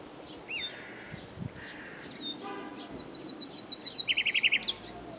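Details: Common nightingale song made of scattered slurred whistles, a run of evenly spaced high pips, and a closing burst of fast, loud repeated notes, over soft background hiss.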